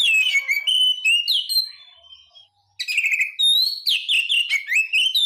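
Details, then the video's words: White-rumped shama singing: loud, rich whistled phrases sliding and warbling between high and mid pitch, delivered in fast varied runs with a brief pause midway. "SUARA BURUNG KACER"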